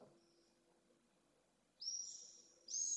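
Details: Pallid swift screaming at a nest in Jerez de la Frontera, Spain, from a remote overhead camera; a quiet stretch with faint hum, then two strong, high, buzzy screams near the end.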